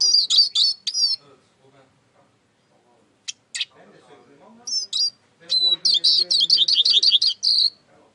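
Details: A Eurasian siskin (Spinus spinus) sings bright, high twittering phrases with a fast run of trilled notes near the end, while a man's voice talks softly underneath.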